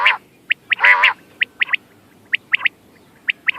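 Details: Quail recorded 14 May 2025, giving short, sharp whistled pips in quick triplets, repeated roughly once a second, with a harsher, throaty squawk near the start; used as a hunting call.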